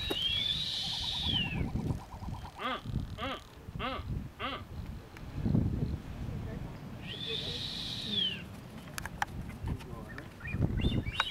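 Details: Blue-footed booby on North Seymour Island, Galapagos, April 2014; two long, high, slightly falling whistles several seconds apart, with low pulsed sounds and people's voices between them.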